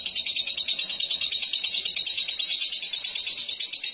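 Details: Lovebird in ngekek, a long chattering song, delivered with a cililin-style fill-in: a dense, high, buzzy trill of rapid repeated notes running unbroken for the full four seconds over faint low background noise.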